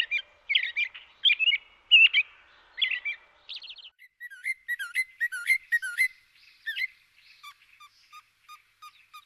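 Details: Varied European robin song: bright warbled phrases first, then high thin trills and sliding notes, ending with a row of short evenly spaced lower pips.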